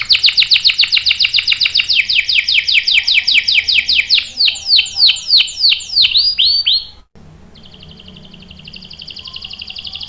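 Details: Female canary in breeding condition calling a male: a long rapid series of repeated chirps slowing into swooping whistles, a brief pause, then a quieter high trill.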